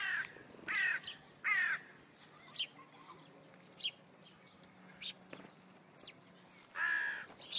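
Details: Semi-wild flock of house sparrows at a zoo shop window in Leipzig, Germany, behaving boisterously: short bright chirps and a few harsher, longer calls in irregular bursts, with gaps of quiet background hum between.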